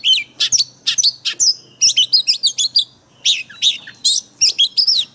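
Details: Oriental magpie-robin 'forest voice' training song for caged birds: a fast chattering series of bright, sharp notes and quick up-and-down whistles, repeated in tight groups with a brief break midway.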